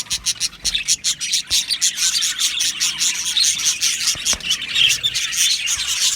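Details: Aviary colony of Australian budgies, breeding and mating sounds: short bright chirps pulse out about every half second over a busy backdrop of high warbling chatter from the flock.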